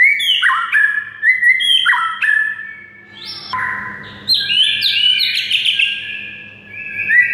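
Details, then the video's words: A white-rumped shama sings to stir a silent bird into song: rocking two-pitch whistled phrases, a brief quieter pause, then a loud rich burst of high, buzzy and whistled notes. "MURAI BISU SONTAK NAIK EMOSI DAN GACOR DENGAR MASTERAN MURAI SATU INI"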